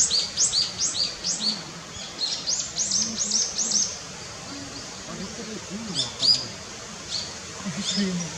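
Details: A male and female Japanese Paradise Flycatcher pair sharing incubation at the nest, 2 June 2016; one gives quick, high, thin chirps in bursts, roughly two or three a second with brief pauses, over a soft low murmur.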